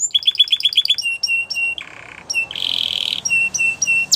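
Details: Belgian canary singing a training song: fast chirped notes in a quick series, then sustained ringing tones and a harsh buzzy burst, separated by short pauses, all high-pitched and loud.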